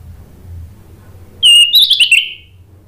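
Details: After a quiet start with faint low hum, an Orange-headed thrush bursts into a short phrase meant to provoke other thrushes to reply: one clean descending whistle, then a quick tumble of bright, chattering notes.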